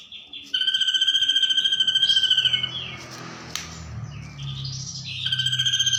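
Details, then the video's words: Ashy drongo performing the kunti imitation: quick laughing trill, a pause filled with scratchy rising notes and a faint click, then the pulsed cackle returns; low humming noise underneath throughout. "Masteran burung srigunting nembak suara kunti"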